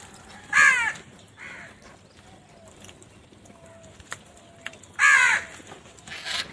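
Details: Crow foraging in the morning: two loud, rasping caws about four seconds apart, one fainter caw between, and soft distant whistles in the quiet background.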